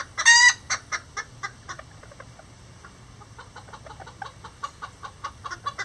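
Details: A rare Lavender bantam, one of miniature roosters and a hen nesting together: one loud rasping squawk opens, then soft, evenly spaced clucks continue quietly to the end.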